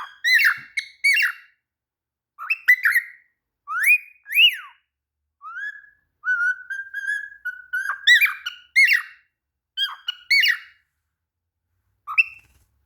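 A cockatiel gives bright, rising chirps and short whistles in quick bursts.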